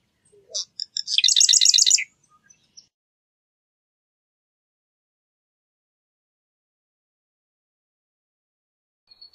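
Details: Single marsh wren song: scattered clicks lead into a short, rapid, gurgling rattle of repeated buzzy notes, then a long silence.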